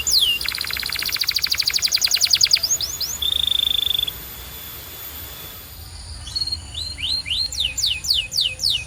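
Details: Canary singing for coaching other canaries: a fast metallic trill of rapid pulses, a steady whistled tone, a quiet gap with hiss, then descending whistled sweeps.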